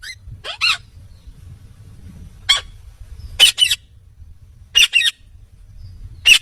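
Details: Indian ringneck parakeet, a talking parrot, calling with sparse, harsh, high screeches, single or doubled, spaced roughly every one to two seconds over a low background drone.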